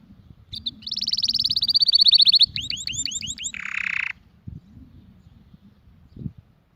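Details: Canary song: a fast rapid trill of high notes, then a run of upward-hooked whistled notes and a brief buzzy burst before stopping, with faint low background rumble and a couple of knocks after.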